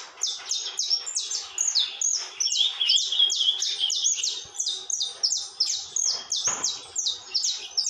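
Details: Saffron finch (canário-da-terra) in continuous song: quick, bright, high chips sliding downward, delivered in rapid bursts of several notes with short breaks between phrases.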